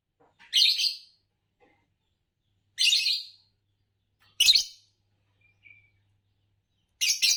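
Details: Champion green Fischer's lovebird producing loud, grating chirps spaced roughly two seconds apart, each a short buzzy burst, with a faint low hum underneath.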